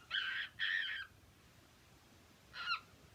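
A cockatiel gives three harsh, raspy squawks: two back-to-back half-second calls, a pause, then a shorter one. Faint room hiss fills the gaps.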